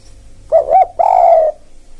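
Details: Spotted dove used as a lure for wild birds: two short cooing notes followed by a longer drawn coo, low and throaty, with a faint steady hum underneath.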